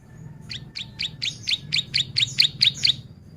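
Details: Bar-winged prinia delivering a long repeated phrase meant for training and luring: ten loud, high, down-slurred chips in a regular series of roughly three per second over soft background hum.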